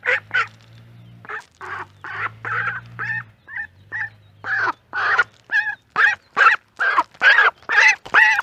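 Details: Duck quacking near ducklings in a pond: a long run of loud, harsh, broad quacks, about two per second, that grows steadier and louder toward the end, with a low hum underneath at first.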